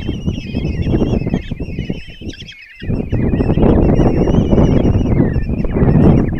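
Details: Nest-box common kestrel chicks, five of them, calling as their mother feeds them in Tiszalök, Hungary, June 26, 2024; chattering wavering squeals, a brief near-silent pause midway, then renewed calling over rough scraping noise.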